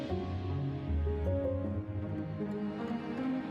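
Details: Soft, slow instrumental music with sustained low tones and gentle melodic notes, with no animal sounds.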